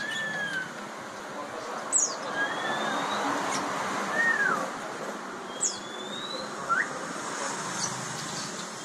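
Bar-winged prinia giving scattered, irregular calls: thin slurred whistles and a few sharp, very high chips spaced a second or two apart, over a steady background hiss.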